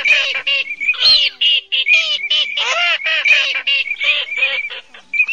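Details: A night-trapping lure of male and female cotton pygmy geese calling, August 2024 migration season: loud nasal, harmonic quacking cackles given in a fast uneven stream, with a few rising notes.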